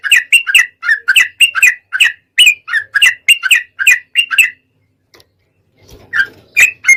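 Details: Sooty-headed bulbul song from a lure track meant to provoke singing: rapid burbling note clusters for about four seconds, a pause with a faint rustle, then more bright notes.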